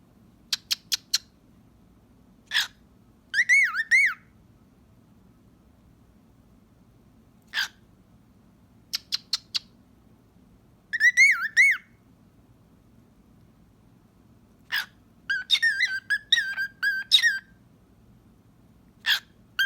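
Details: A pet cockatiel gives sharp kissing clicks between short, wavering whistled phrases.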